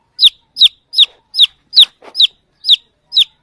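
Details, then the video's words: Chick peeping as it looks for the mother hen, giving eight loud, high, downward-sliding chirps at a steady pace of roughly two per second, with a short soft rustle midway. "baby chick sound | chirping | looking for mother hen"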